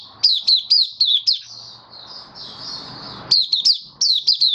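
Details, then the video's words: Caged white-eye singing openly, 18 May 2022, after deworm treatment: loud high chirps that drop in pitch, then a softer thin warble over room hiss, then the sharp descending chirps return. "Mata Puteh Kitaro buka sing"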